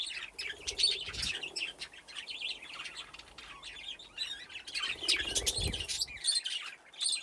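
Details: In an aviary with nesting boxes, a group of playing budgerigars keeps up busy, high chattering warbles and quick chirps without a break. Two soft low thuds of wings or movement sound partway through.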